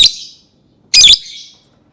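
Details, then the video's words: Lovebird giving two piercing high screeches, one short and one longer and rasping, separated by a quiet pause, each trailing off in a brief echo. "Suara burung lovebird"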